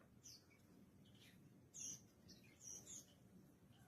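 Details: Mountain white-eye sunning in the morning, giving short high thin chirps and brief twittering notes scattered over a few seconds, fairly faint above a steady low background rumble.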